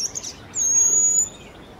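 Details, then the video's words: High, thin sustained whistle of a Jerdon's bush lark in Kerala, India, held for under a second after a brief twittering note, with a low hum of rural background noise. "Jerdons Bushlark's Song"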